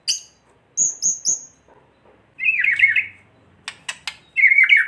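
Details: White-rumped shama kretekan for provoking other shamas: thin high whistled notes, quiet clicks, then two short bursts of buzzy rattling chatter with sharp ticks between them.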